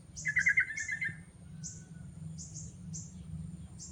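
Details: Sooty-headed bulbul giving a short burst of bubbly, warbled notes lasting about a second, followed by quiet, while thin high chirps from another small creature repeat throughout over a low steady hum.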